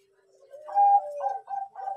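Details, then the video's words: Bangkok zebra dove lure song to prompt birds to sing: a low rising note swells into a strong held coo, followed by three shorter bubbling coos. "Anggungan perkutut Bangkok pancingan rajin bunyi"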